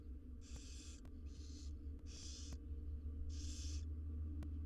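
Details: Barn owl nestlings, six wild chicks being fed in a nest box, give loud rasping hissed begging screeches, four broad noisy bursts in quick succession over a constant low hum.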